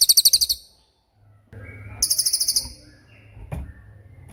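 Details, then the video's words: Cililin tembakan song for training songbirds: a short burst of high rapid pulses, a quiet gap, then another half-second pulsed burst, followed by low background noises and a single click. "MASTERAN TEMBAKAN CILILIN GACOR DOR"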